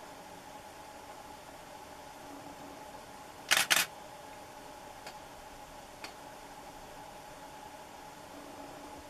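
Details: Quiet background hum broken by a quick double camera shutter click and two faint ticks.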